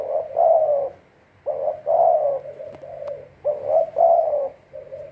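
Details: Spotted dove kept as a decoy bird for trapping, giving low mellow cooing phrases in three bursts about every one and a half seconds, over a faint low hum.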